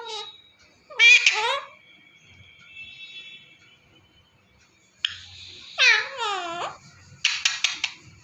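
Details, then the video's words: Talking pet parrot indoors: short speech-like mimicked phrases with bending harmonic notes, a long faint whistled tone, then sharp clicking squawks. "Talking Parrot .....My mithu says new word mera kutur kutur ..mai mithu and WHISTLING"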